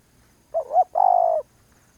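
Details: Spotted dove coo: a brief, wobbling opening note, a tiny pause, then a drawn-out, softly vibrating low hoot that fades at the end, with near silence around it.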